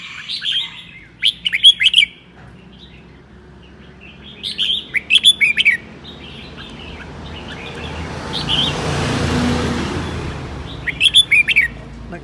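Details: Red-whiskered bulbul with seven claws in Sơn La, singing in the ché style on a cold, sunny day: bursts of bright, chattering, warbled notes in short phrases at roughly one-to-three-second gaps, with a hissing noise swelling in the middle and a Vietnamese speaker nearby.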